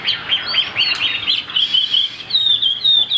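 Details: Caged Chinese hwamei kept as a songbird in Vietnam, a bird with a fig-leaf tail and a high-pitched song, delivering loud clear whistles: quick rising-falling slurs that settle into long sustained high notes, with no other sounds.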